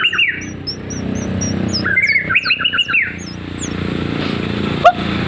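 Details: Actively singing white-rumped shama, F3 bird from Lampung, Indonesia: a short trilled whistle, then a quick series of stacked rising-falling notes, with thin high chirps scattered above and steady background rumble.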